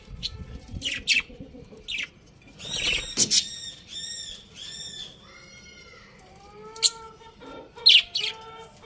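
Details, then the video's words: Pet budgerigars chirping: sharp high chirps at the start, then a run of harmonic warbled notes and lower, longer whistled tones, ending with a couple of loud bright squeaks. "Cute Budgies Chirping Sounds"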